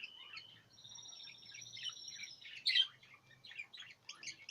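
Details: A pair of budgerigars chatter in a rapid, high-pitched warble of squeaky chirps and buzzy notes.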